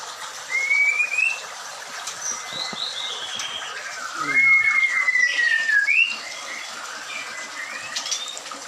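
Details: Captive white-rumped shama at a bird farm: long, clean whistles, some rising and one drawn-out descending slur, with sparse high notes in between and a faint low sound midway.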